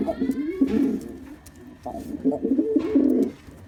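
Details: Low, bubbling coos from a displaying black male pigeon, two rounded phrases with a short lull between them and a faint higher whine early on.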